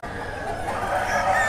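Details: Rooster at a weekly Saturday-morning village market in a sal-forest clearing at Jhilimili, Bankura, where people come looking for fighter roosters. It crows with a harsh, strained cry that builds in loudness over a busy market background.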